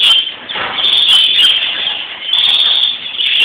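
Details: A European greenfinch (Chloris chloris) at Palm Sunday (Florii) time gives a drawn-out, buzzy, wheezing song with brief higher twitters woven through it, sustained almost without pause.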